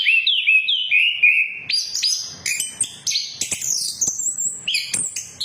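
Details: Orange-headed thrush song used as a lure to get other birds singing, in the ngeplong and ngeriwik style: varied clear whistled phrases, sliding notes that step from low to high, with quick high chirps and sharp clicks.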